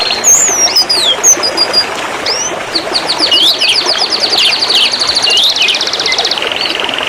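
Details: Canary song from a master recording used to train other birds. High slurred whistles open into a long, fast rolling trill of evenly repeated notes, ending on a steady high tone, over constant background hiss.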